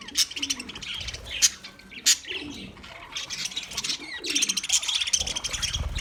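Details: Budgerigars chirping, kept as a sound for a lonely bird: dense high warbling chatter of many overlapping chirps and rasps, louder bursts near the start and end, with faint low pigeon-like cooing underneath.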